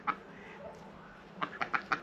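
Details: Two domestic ducks born last year at the farm, supposedly Indian Runners but owner doubts they are purebred, in a snowy winter farmyard: one short, nasal quack, then a quick run of four or five clipped quacks.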